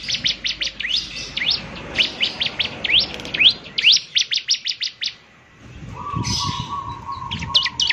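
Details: Bar-winged prinia (ciblek semi), singing actively, said to set other ciblek semi singing with its distinctive voice; a brisk series of high sharp sweeps and chips, then a lull with a steady mid-pitched tone and noise.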